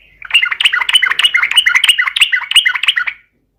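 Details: Lively 'gacor garuda' song of a yellow-vented bulbul, meant as a lure to get other birds singing: one unbroken three-second phrase of bubbly, rolling, up-and-down whistled notes.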